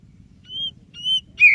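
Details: White-breasted Oriental magpie-robin song for stirring a silent bird: two pure, steady whistles followed by a short, sharp bending note, with a faint low hum beneath.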